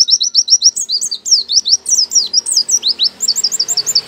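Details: Oriental white-eye, a caged bird, sings a fast high song of short sweeping notes, repeated rapidly and steadily in runs of bright chirps and trills, with varied downslurred and upslurred phrases throughout and no other clear sounds.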